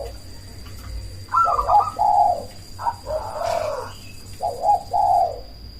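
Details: Cemani zebra dove used as a lure to make rival doves answer. Softer, lower cooing in three short phrases of slurred, buzzy notes, one briefly overlapped by a rustle, with a constant thin high whine behind.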